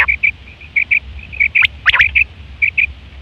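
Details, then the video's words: A quail calls in September 2023 with short, clipped high notes, often paired and repeated irregularly, plus one louder rising-and-falling note midway, over an otherwise quiet background. The call is described as used for hunting and mating. "Quail fresh sound"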